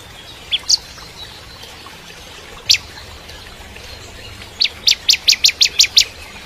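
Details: Bar-winged prinia, used to train shamas, with a few scattered sharp chips followed by a closing run of seven quick ringing notes.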